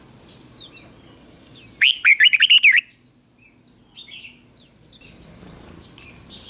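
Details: Red-whiskered bulbul decoy singing to call in wild birds. A rapid, ringing phrase of about seven warbled notes stands out mid-clip. Faint, high, sliding chirps from other birds come before and after it.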